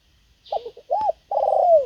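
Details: Decoy spotted dove luring wild birds: a short burbling note, one arched hoot, then a long vibrating coo sliding downward at the end, all low and mellow.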